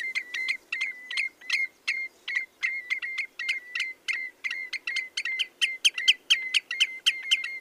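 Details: Steady yodel-like repetition of short level whistles by a Common redshank, each with a hard clicky front, about two to three per second throughout, growing slightly louder toward the end.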